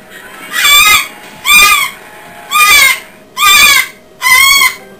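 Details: Five-year-old umbrella cockatoo, excited by a television show, gives five loud, harsh, raspy screeches, each about half a second long and spaced just under a second apart, over a faint indoor hum.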